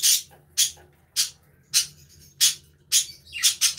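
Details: Aviary budgerigars chirp and play: short, sharp, bright chirps repeat roughly every half second, speeding into a quick cluster of notes near the end.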